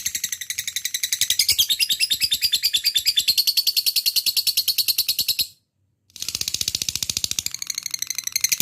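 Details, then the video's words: Lovebird giving long 'ngekek' song to lure other lovebirds into singing. A rapid, high, buzzy rattle runs for over five seconds, stops briefly, then resumes just as fast. "Pancing labet fighter langsung ikut ngekek gacor dengan suara burung lovebird satu ini"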